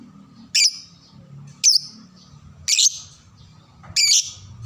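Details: Four shrill, squeaky lovebird calls roughly a second apart, used to teach young birds to sing, some buzzy and harsh, over a low murmuring background.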